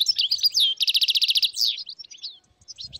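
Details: Wild goldfinch flock in northern Morocco, 2022: busy high twitters and a rapid repeated chattering burst, then fading sparse chirps.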